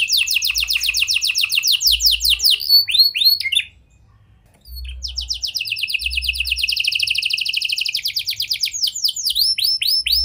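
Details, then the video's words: Canary in lure song with prinia and lovebird phrases, aimed at getting stalled canaries singing: long, very rapid trills and falling slurs, a one-second gap, then a dense buzzing trill continuing with more swooping notes. "Pancingan Kenari Gacor Cengkok Prenjak Lovebird! Ampuh Buat Memancing Kenari Macet Agar Gacor"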